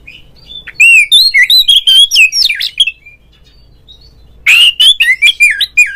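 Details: Kacer or oriental magpie-robin pouring out a fast, varied song used to set off other magpie-robins: rich whistled slurs and trills for two seconds, silence, then a harsh note and another whistled run.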